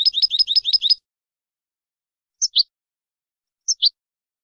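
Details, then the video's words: Goldfinch song used for tutoring a finch, a fast burst of six high twittering notes, then two spaced pairs of sharp chirps after quiet gaps. "تعليم الحسون أفضل تغريد في العالم بدون أخطاء"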